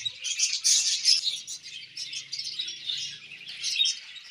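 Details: Budgerigars in a colony, a dense chorus of overlapping high chirps and warbles, many birds calling at once in continuous bright chatter without pause.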